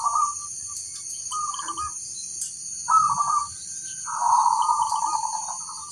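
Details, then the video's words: A local zebra dove calls and others reply: several short vibrating coo phrases, the last one longer and louder, over a continuous shrill high-pitched drone. "suara burung perkutut lokal memanggil"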